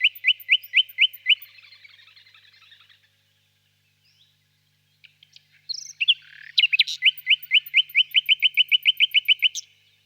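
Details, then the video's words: ['Nightingale singing in a birch grove on a warm spring evening, distant: loud evenly spaced piping notes, a soft fading chatter, a pause, then a long fast series of about twenty sharp repeated notes.'] "Пение соловья"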